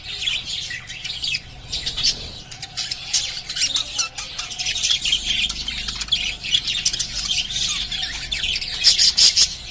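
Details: Pet lovebirds chirping: a dense, continuous chatter of many high, sharp chirps and squawks overlapping, with a few clearer whistled notes near the middle and end.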